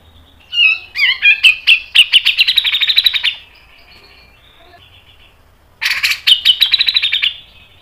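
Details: Grey-cheeked bulbul (Alophoixus bres) tutor or lure song: two bursts of fast, sharp, bright high chattering notes, each about two seconds long, with a short pause between.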